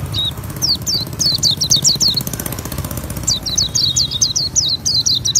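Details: Ngriwik-style song of a pleci auri, an Oriental white-eye: two bursts of rapid, high, downslurred tsee notes separated by a short pause, with engine hum low underneath.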